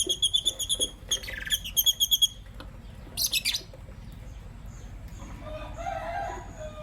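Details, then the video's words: In the morning, green Personata and pastel white lovebirds give quick strings of bright, evenly spaced high chirps, about five in a row, twice, then a harsh buzzy squawk and softer fading twitters. "Relaxing Lovebird Chirping Sounds from Green Personata & Pastel White"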